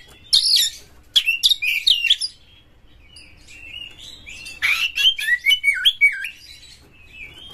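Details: Oriental magpie-robin lure song to stimulate other magpie-robins: a quick burst of shrill twisting whistles and scratchy chips, a pause with a faint thin whistle, then a rough note leading into wavering whistled phrases.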